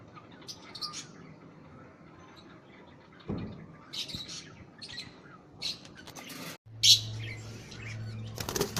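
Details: Budgerigar giving scattered high, short chirps and squeaky notes at irregular moments, with a brief loud burst near the end over a low background hum.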